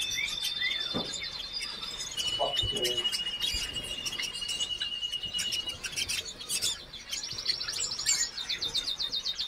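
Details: A hooded siskin (Spinus magellanicus) sings fast, high twittering with long, thin whistled notes and rapid buzzy trills, while faint voices and other chirps sound in the background.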